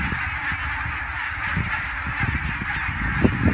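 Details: Thousands of wild greylag geese flying over the Elbe dike toward the river at Fährmannssand, Wedel, near Hamburg, Germany, on 12 April 2020, phone-recorded; a dense, unbroken chorus of overlapping nasal honks, with low rumbling wind noise.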